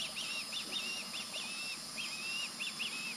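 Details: Juvenile osprey calling in the background near an adult male that has recently eaten fish; high, wavering whistled notes, some short and paired, some drawn out, repeated continuously over constant hiss.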